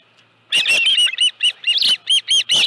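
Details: Osprey at its nest with a live fish, 25 July 2018 at 5:23 PM; after a brief quiet start, a rapid series of sharp, high whistled chirps, each slightly rising then falling, repeated several times per second.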